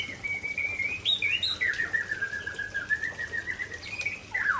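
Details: White-rumped shama from Aceh delivering its prized song material: a long, sustained whistled line, mostly level with slight wavering, stepping up briefly then sliding down, ending in a sharp rising flourish.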